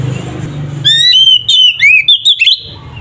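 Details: Oriental magpie-robin (kacer) in loud 'ngeplong' fighting song used to provoke other males: a burst of clear whistled notes and slurred rising-falling phrases after a quiet start with low background hum.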